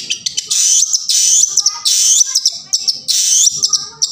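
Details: Long-tailed shrike lure song for silent shrikes: dense harsh rasps in long bursts alternating with short clicking notes and thin whistles.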